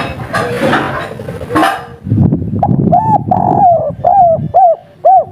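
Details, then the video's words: Energetic local spotted dove (derkuku) performing kuk 3 song with a mellow tone: after two seconds of clattering noise come clear coos, one long falling drawn-out note followed by a string of short arched coos. "Derkuku kuk3 lokal gacor ngamuk bikin ribut full emosi || suara empuk"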